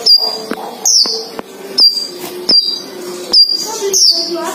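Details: A caged sunbird pair, male and female housed together, gives clear, high, quickly falling whistled notes at regular short intervals against a low musical hum.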